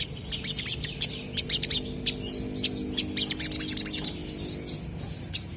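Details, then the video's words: Crested jays trading calls in energetic song: spaced groups of sharp, high, clicking notes in quick runs, with a couple of softer, slurred notes between bouts and a low background hum. "SOGON GACOR BERSAHUTAN"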